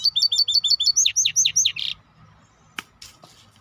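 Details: Rapid repeated paired high chirps from a maestro bird that slow into loud downward-sweeping whistles and end in a short buzzy rasp, then a few faint clicks.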